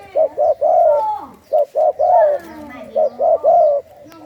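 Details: Captive spotted dove bred from a 'khu ang' song strain. It gives crisp repeated phrases of two short coos and one long coo, three phrases in quick succession, with a quiet lower coo in the background.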